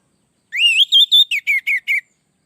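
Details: Orange-headed thrush (anis merah) song played to train or provoke other birds: a rising whistled note, then a string of six short, clear whistled syllables in quick, even succession.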